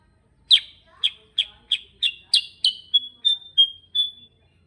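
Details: Kutilang sutra, the sooty-headed bulbul, singing in ngerol style: ten emphatic, slightly buzzy chirps spaced about a third of a second apart, the later ones becoming thinner, flatter whistles. The background is quiet.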